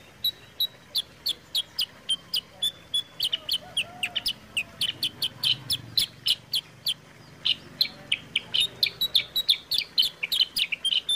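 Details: Kutilang sutra, the sooty-headed bulbul, used as a lure and tutor song for kept birds: a long run of crisp high chirps, accelerating into dense rapid clusters toward the end, with occasional thin whistled notes.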